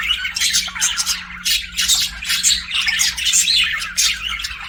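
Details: Budgie song from pet birds: continuous scratchy warbling mixed with squawks and clicky chirps, a short lull near the start, then loud overlapping chatter to the end, faint hum beneath.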